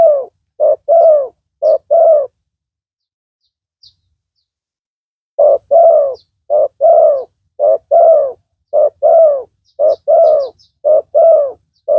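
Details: Loud decoy spotted dove calling to lure and drive off rivals: repeated low coo pairs, clipped note then drawn-out falling coo, in two bursts separated by a few seconds of near silence.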